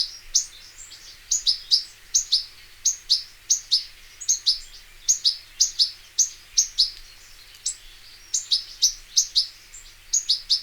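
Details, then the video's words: European goldfinch from nature, known as arous al-turkman: long run of high, tinkling two-note chirps, repeated roughly twice a second with brief pauses, over soft background hiss. "صوت الحسون حسون ذهبي عروس التركمان طقطق شوك الحسون صافي من الطبيعة European goldfinch sound"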